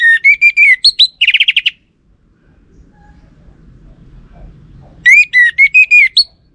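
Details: Orange-headed thrush song as a lure for males to answer. A phrase of slurred whistles runs straight into a fast buzzy rattle. After a silent gap, a second whistled phrase follows.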